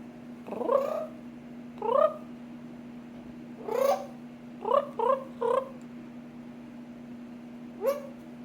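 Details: Pet parrot at an apartment complex in Florida, imitating its owner's trills: seven short warbling, harmonic bursts, some in a quick run of three, over a steady low hum.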